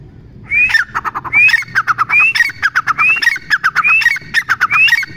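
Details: Teetar partridge call phrases: each begins with a bright upslurred whistle and runs into a rapid string of scratchy, chattering notes, repeated roughly every 0.9 seconds over five seconds.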